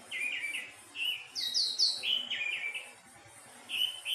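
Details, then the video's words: Thrush singing melodiously in quick chains of clear whistled notes, shifting between lower and higher pitches, with a short pause before a final phrase. "Burung anis teleng suara merdu"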